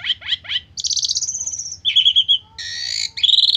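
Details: Asian pied starling giving a stressed, fill-in-rich lure song: three quick falling notes, a long buzzy high trill, a rapid stutter of whistles, then a harsh grating burst and a rising whistle.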